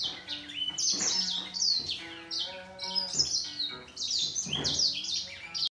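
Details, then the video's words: Grey singer finch duelling in song with a green singer: continuous rapid high twittering and down-slurred whistled notes in dense bursts, both birds trading phrases, with a low tonal hum in the background. "Gery singer finch VS Green singer singing fight 灰燕和金青斗唱"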